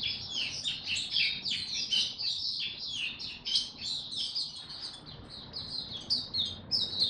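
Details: Oriental white-eye performing tiong aw song on 25 January 2022, having slept late the previous night: fast, continuous high twittering with tumbling, slurred notes packed closely together.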